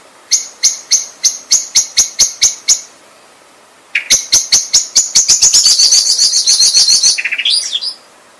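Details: Common blackbird giving a row of evenly spaced sharp notes, then after a pause a speeding run that blurs into a dense high chatter, ending in a brief rising squeak.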